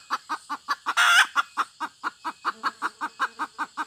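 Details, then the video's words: Rapid, regular clucking from a hen, roughly five notes a second, with one loud, harsh, drawn-out squawk near the start. "suab poj qaib tsauj seev dib tuaj zoo tshaj 2021"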